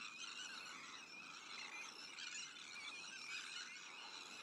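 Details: Breeding colony of Sandwich terns among black-headed gulls, Arctic terns and common terns, heard as a continuous wall of scratchy, high calls from many birds at once, without pause.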